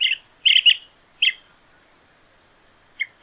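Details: Chestnut-headed (bay-headed) bee-eater in Sri Lanka giving short, rolling trilled chirps, several in quick clusters, then pauses; high, clear notes with little else behind them.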